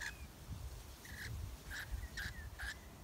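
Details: Nectar-feeding rainbow lorikeet in a red flowering gum, Melbourne in summer (January); rapid run of five harsh, clipped screeches roughly every half second, loud and close.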